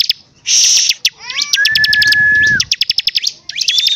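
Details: A singing bar-winged prinia gives a harsh buzzy burst, a few short slurred notes, then a long level whistle, followed by quick repeated chips.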